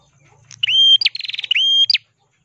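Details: Ashy tailorbird song meant for training cage songbirds: two clear upward-sweeping whistles, each capped by a sharp high note, separated by a quick pulsing buzzy trill.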